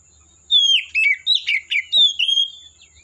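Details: Oriental magpie-robin in the forest giving a loud, clear run of sweet whistled phrases, some falling, some slurred, rising and dropping quickly over three seconds.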